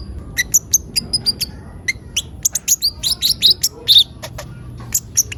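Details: Van Hasselt's sunbird (kolibri ninja) singing a chatty gacor lure song: rapid, thin, high chirps and short twittering bursts in quick irregular runs, with a faint low hum underneath.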